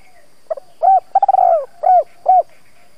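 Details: Lure spotted dove giving its provoking cooing phrase: small stammered opening notes, then a sustained vibrating coo followed by two separate rounded hoots, low and hollow, repeated at a steady pace.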